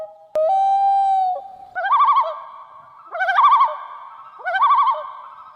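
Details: Common loon (Gavia immer), call.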